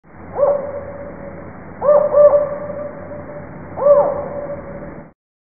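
Spotted Owl giving a spaced series of hollow, mid-pitched hoots: one, a quick pair, then a final hoot, over a faint steady background hum.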